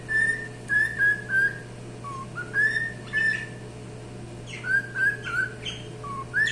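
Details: Cockatiel singing: a series of clear whistled notes, some steady and some rising or falling, given in short phrases with brief gaps, a few harsher chirps mixed in, over a steady low hum.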